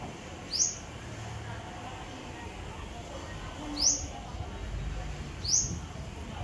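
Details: A yellow-bellied whistler (Pachycephala philippinensis), probably, visiting a flowering papaya tree for nectar in the Philippines, gives three short, high, rising whistled notes spaced a few seconds apart over a soft low background rumble.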